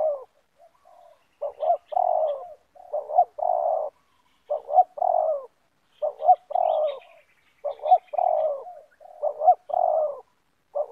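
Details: Spotted doves in the banggo calling style, a caged decoy meeting a loud wild rival in a yard: a rapid series of hoarse, mellow coos in short grouped phrases, repeating about every one and a half seconds, faint higher chirps now and then.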